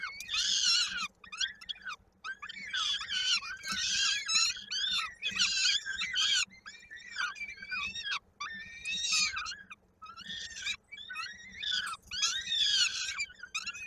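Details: Nest of peregrine falcons in Koszalin, Poland, recorded 16 May 2022 as an adult feeds chicks and a little one's foot lodges in a beak: long sequence of harsh, wailing screams in uneven bursts with short silences.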